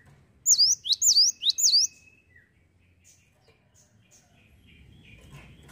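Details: ['Cinereous tit gives three rapid, high, sweeping whistled phrases in a row, then falls quiet apart from a few faint distant chirps and a low rumble.']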